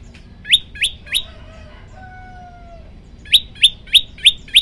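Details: Three sharp upslurred chirps from a prenjak lumut prinia, then a thin drawn-out tonal whistle from another source, then six quick evenly spaced chirps from the prinia.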